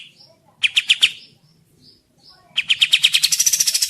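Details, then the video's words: Tembak jeda song of an olive-winged bulbul, tutor recording: a short burst of four loud chattering notes, a pause with soft notes, then a long accelerating rattle climbing in pitch. "Masteran Burung Kapas Tembak Jeda"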